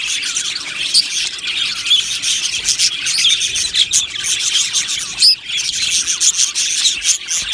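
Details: Budgerigar colony in an aviary, described as happy birds: thick high chirping chorus with scattered sharp whistled squeaks, including a short loud squeal near the end.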